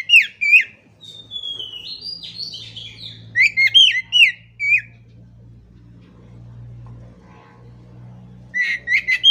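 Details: Oriental magpie-robin (kacer) repeating loud, slurred, rising-and-falling whistles in short bursts, broken by a thin buzzy trill, with a faint low hum throughout.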